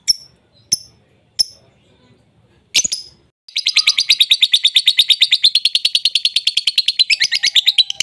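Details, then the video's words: Lovebird sound used as a lure to prompt a lovebird that has gone silent into singing: a few sharp separate chirps, then a long, fast, even high-pitched trill of rapid repeated notes that continues to the end. "Pancingan Ampuh Love Bird"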